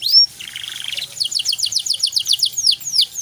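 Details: Canary in a gacor, cengkok mewah (luxurious-style) master recording used to tutor other songbirds: a short rising whistle, a buzzy passage, then a fast run of repeated downswept notes.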